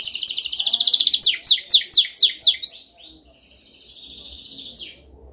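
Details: Canary song offered as a dominant song for training: a rapid buzzy trill, then six loud downward-sweeping notes about a quarter second apart, ending in a soft drawn-out high whistle and a brief falling note.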